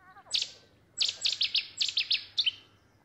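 Cetti's Warbler bursting into song: a loud, sudden, explosive run of sharp notes, a short opener and then about eight rapid ringing phrases.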